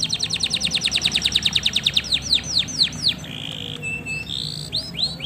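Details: Male canary singing to excite a female into mating posture: a rapid, even trill of bright downward-sweeping notes, slowing into wider slurs, then a flat whistle and scattered sweeps over a low hum.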